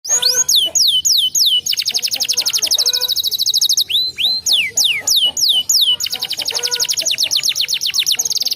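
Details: Canary song played to coax a canary that is reluctant to sing: high, rapid series of downslurred whistles, then long fast buzzy trills and rolling tours, alternating steadily, with faint lower harmonics beneath.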